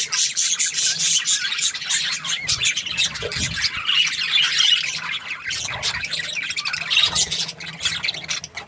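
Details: Budgerigars in a happy chorus of squeaky chirps, harsh squawks and warbling chatter, continuous and overlapping, with a few low thuds in the middle.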